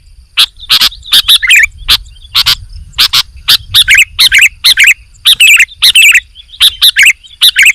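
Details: Energetic sooty-headed bulbul song of clipped sharp notes and quick chirping runs following one another closely.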